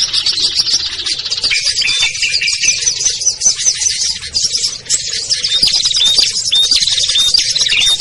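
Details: Small-bird lure recording, meant to draw wary birds such as ciblek, kutilang, trucuk, sogon and perenjak down: busy overlapping high twittering throughout, with thin rising whistles near the end.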